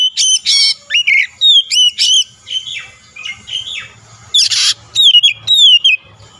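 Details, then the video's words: Lure song of an oriental magpie-robin meant to provoke a rival: rapid run of loud, clear whistled notes, upslurs and downslurs with some harsh buzzy bursts, in quick uneven succession. "PANCINGAN KACER LAWAN LANGSUNG BUKA SUARA GACOR"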